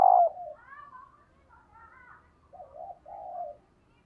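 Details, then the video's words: Female dove calling to excite males: a loud low opening coo, softer higher wavering notes, then two mellow low coos close together. "Tiếng Chim Cu Mái kích Trống Hiệu Quả/ tiếng chim Cu Mái"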